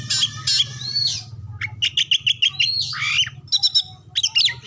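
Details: Oriental magpie-robin in full lure song for provoking other songbirds, said to carry imitations of other species; clear whistled phrases followed by a rapid series of clipped identical notes, then shrill chattering bursts over a faint low hum.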